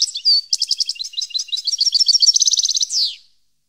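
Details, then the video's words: Goldfinch song from Parva, 2015: a whistled slur, then rhythmic high chirps accelerating into a steady rattling trill, capped by a buzzy falling note. "Goldfinch song 2015/ Canto Jilguero Parva 2015"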